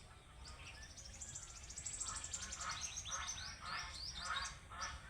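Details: Duck calling near a village pond in the morning: a series of nasal, harmonic honking calls repeated roughly twice a second in the second half, with thin high chirps of small birds in the background.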